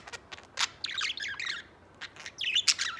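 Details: Warbled chatter from a white pet budgerigar: quick clusters of high, twittering chirps and raspy notes, pausing briefly before another tumbling run of squeaky syllables.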